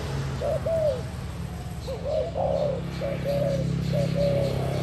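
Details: Spotted dove delivering a few paired coos, a short note leading into a drawn-out falling one, with a steady low rumble underneath.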